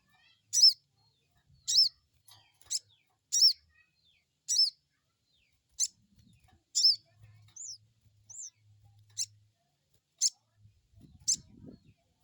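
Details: Crested jay repeating crecet calls, a lure to make an untrained bird reply: a long run of sharp, stacked high chips about every second, with two softer arched whistles midway and faint low rustling.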